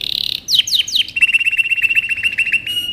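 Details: Canary song used as training material for young birds: a short high buzz, three loud swooping descending notes, then a quick run of short level chips forming a steady metallic trill.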